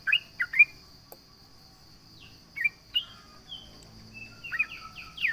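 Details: Sooty-headed bulbul in lively, full voice, taunting rivals: scattered short bubbly notes, some rising and some falling, come in brief bursts with gaps. A steady high insect drone runs underneath.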